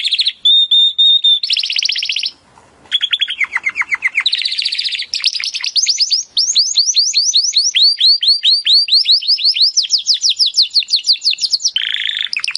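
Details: Timbrado canary song as training audio: a pure whistle, then rolling trills of varied speed, slow descending strokes and long runs of rapid high repeated notes.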